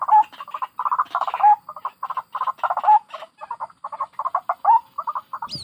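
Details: Excited, irregular grunting and croaking chatter of white-breasted waterhen, recorded in the wild from adults and chicks for a trapping lure, with brief squeaky upslurred notes scattered among dense, rasping bursts.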